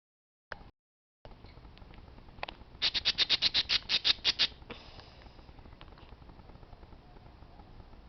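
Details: Parakeets making noise: a quick run of about a dozen sharp, high, evenly spaced squawking notes over roughly two seconds, preceded by a few scattered clicks and followed by a faint hiss.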